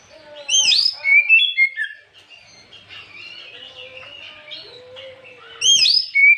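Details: Afternoon Oriental magpie-robin song used as a provoking lure: loud bursts of sharp upslurred whistles and chips at start and end, with softer rambling warbles and a low drawn-out whistle in between.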